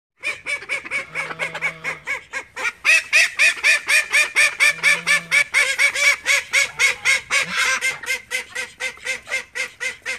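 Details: Call ducks, part of a flock of thirteen kept at home, giving rapid loud quacks repeated about four times a second in a dense, steady chorus, with a low droning tone twice underneath.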